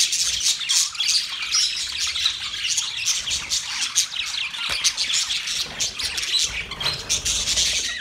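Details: Budgies, the Australian parrot, chirping together in a ceaseless jumble of shrill twitters and raspy notes, with a faint low rumble underneath at times.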